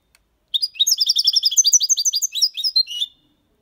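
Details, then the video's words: Young European goldfinch, six months old, in clean Malaga copy singing: one continuous phrase of quick, sweet tinkling notes and short buzzy trills, about two and a half seconds long, in quiet surroundings. "Jilguero cantando Limpio 6 meses/ chardonneret chante la copia Malaga / Goldfinch singing"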